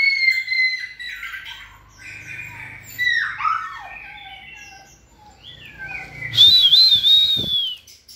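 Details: A kept White-rumped shama in stamina training sings a varied run of clear whistles mixed with harsh, squawky notes, ending in a loud, rich, warbling burst.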